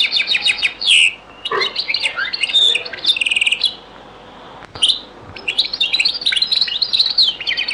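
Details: European goldfinch in a very old recording of the Beni Messous 'les avocats' (zaboka) song style: rapid high twittering phrases with buzzy trills and sharp chips, broken by a brief pause mid-clip, faint room hum beneath.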